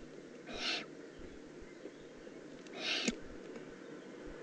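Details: Juvenile Eurasian eagle-owl in the Eifel, June 2016, two soft, breathy hisses about two seconds apart, somewhat faint over a noisy low background.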